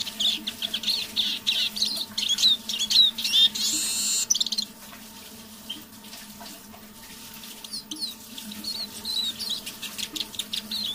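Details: Quiet evening song of a decoy Eurasian siskin. A dense run of high twittering and rising whistled notes lasts about four seconds, then softer scattered chirps follow, all over a low steady hum.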